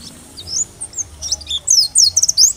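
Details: Oriental white-eye, dakbal type, singing to prompt other white-eyes to answer and sing: after a quiet start, a quick run of high, sharp, descending chirps and trills, with light background hiss.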